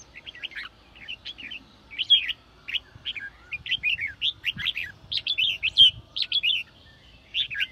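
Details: Red-whiskered bulbul performing a sổ bọng song, used to spur freshly caught birds to sing; short, lively whistled phrases repeat about every few seconds, each a cluster of chirpy slurred notes, over a quiet background.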